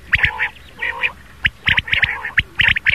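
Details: Rain quail morning call, used as a hunting lure: harsh, nasal notes mostly in quick pairs and short bursts, repeated irregularly every half second or so against a quiet background.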